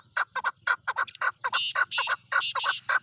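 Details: Male chukar, a tame local bird let loose outside, uttering quick paired and tripled chuck notes at a lively pace, mixed with a few broad hissing bursts.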